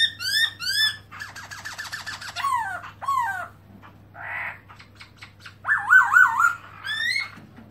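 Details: Black-throated laughingthrush singing with tail spread, recorded 2017: a varied run of rich, ringing whistles, with fast descending note trills, swooping slurs and a wavering warble near the end, over a steady low hum.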